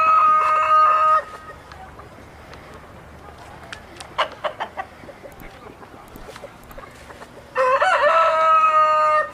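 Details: Rooster crowing twice, a loud drawn-out harsh crow at the start and another near the end, with scattered clucks and clicks between them.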